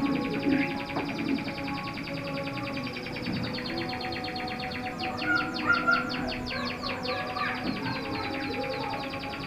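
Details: Roller canary song heard over a steady humming background: long even trills rolling on for several seconds, then a faster bubbling run of rapid pulsed notes, some clearer whistled tones mixed in.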